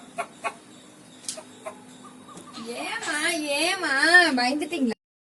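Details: When scared, a pet rooster gives a few soft scattered clucks, then a loud, tremulous, warbling cry that wobbles up and down for about two seconds before stopping abruptly.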